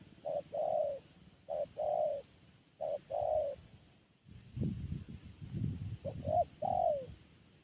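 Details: Zebra dove calling: a short note followed by a longer, soft, mellow coo, repeated in three even phrases, then a final phrase of quick notes ending in a falling coo, over low rumbling background noise.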